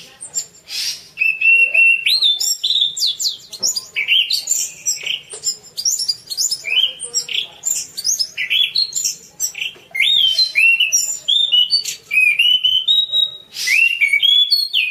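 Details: Orange-banded thrush in full song as a masteran recording: long, varied stream of bright whistles, upslurs and twittering notes, with occasional rasping bursts, nearly continuous for about fifteen seconds.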